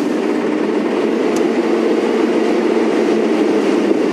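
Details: A steady, loud rumble of vehicle engine noise fills the recording on a morning safari drive, with no animal calls heard.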